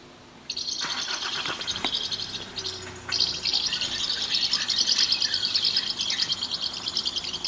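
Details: Common house martins at Fraiture, with song played near nest boxes to draw birds in: a quiet start, then a continuous rapid, buzzy twittering of high chirps that grows fuller and louder toward the end.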